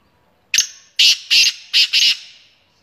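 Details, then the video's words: A black francolin gives a sharp opening click, then four loud, harsh, grating notes in quick succession, with a slight room echo. "KALA TEETAR SPEEDER کالا تیتر"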